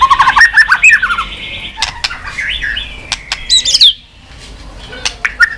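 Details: White-rumped shama, stimulated to sing quickly and flicking its tail: varied whistled phrases with rapid descending note runs, sharp clicks and a rising-then-falling slurred whistle near the end.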